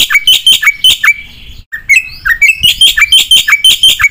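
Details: Black-winged myna singing with mimicry inserts: a bouncy chatter of squeaky, slurred notes that twist up and down, with a brief hiss-like pause in the middle.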